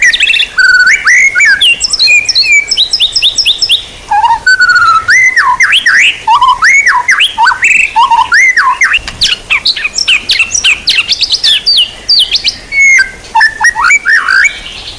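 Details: White-rumped shama song used as songbird training material: a dense, continuous stream of rich whistles, rapid rising and falling slurs, and chattering notes in quick succession with only short gaps.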